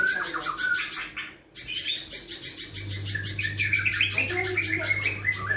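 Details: A spiderhunter in full voice sings its rough, long-lasting song, a rapid, continuous stream of high, sharp chirps and trills, with a steady low electrical hum in the background.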